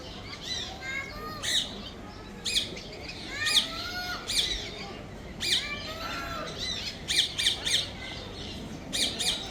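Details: Grey parrot making sweet sounds: irregular bursts of sharp clicks, squeaks and short rising and falling whistles, about thirty per minute, against steady background noise.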